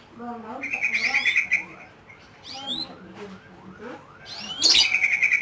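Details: Lovebird giving its ngekek song: a fast, buzzy, evenly pulsed chatter held for about a second, then scattered rising chirps, and a second loud rattling burst at the end. A man talks faintly in the background.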